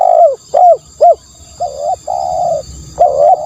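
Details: Lure recording of a spotted dove: brief arched coo notes followed by longer, flatter drawn-out coos, loud and close, with a faint continuous high whine behind them.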